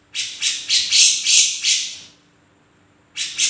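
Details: Grey-cheeked bulbul in vigorous song: a rapid run of six harsh, scratchy bursts about three per second, fading out, then a pause before two more bursts.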